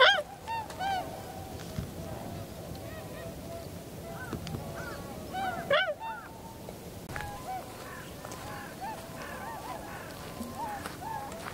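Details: A winter flock of Tundra swans on 7 February 2015, landing and flying, recorded on a Canon PowerShot SX60 HS with external microphone: many overlapping nasal honks and bugling notes, loud at first, then a busier, softer chorus.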